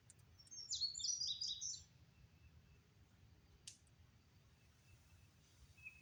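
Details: Outdoor bird song in Oklahoma on May 22 beneath drifting clouds: one quick, high twittering phrase of jumbled notes near the start, then a faint click and low ambient rumble for the rest.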